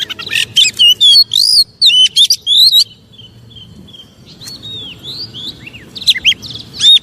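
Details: Oriental magpie-robin song used to provoke rivals: three seconds of loud sharp whistles and slurred phrases, then soft quiet warbling, ending with renewed emphatic whistled notes.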